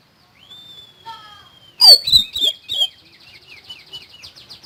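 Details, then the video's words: Common iora singing: a long, even whistle, then loud, strident falling notes in quick succession, then softer, rapid chirping notes tapering away. "BURUNG SIRI SIRI GACOR FULL NEMBAK"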